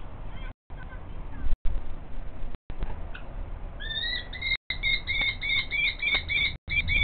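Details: Nest-scrape preparation by a male common kestrel while the female calls in the background; after a few seconds of quiet rustling, a steady series of shrill, ringing notes begins and continues to the end.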